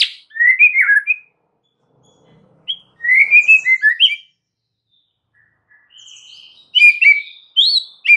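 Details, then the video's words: Lure song of a white-rumped shama, played to draw replies from other shamas: short phrases of rich rising and falling whistles separated by pauses, ending with higher sweeping notes. "PANCINGAN murai Batu"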